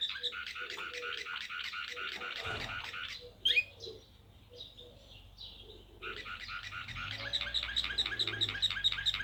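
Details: Serbian blue canary of the Slavujar song style, singing rapid repeated syllables in two trilled phrases, about two per second, split by a short gap with a brief sharp note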